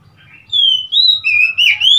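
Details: Oriental magpie-robin, 3 March 2021, delivers four loud, sweet whistled notes in quick succession. They glide between higher and lower pitches, and the final note sweeps upward.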